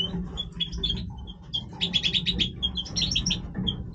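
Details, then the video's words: European goldfinch singing while breeding: scattered high tinkling chirps build into quick buzzy trill bursts, then more twittering notes; constant low hum in the background. "Stieglitz Major Breeding Voice - singing Goldfinch"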